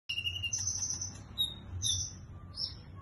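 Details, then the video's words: Sunbird song in the cililin style, a locked training song: thin, very high whistled notes and short bright phrases, some held and some clipped, spaced through the clip over a low steady hum. "konin rasa cililin❗materi ngunci❗"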